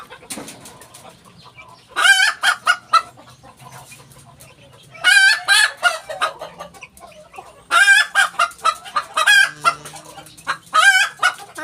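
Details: A Ko Shamo hen gives repeated loud cackling squawks in four bursts several seconds apart, each made of quick harsh notes, with a faint low hum between.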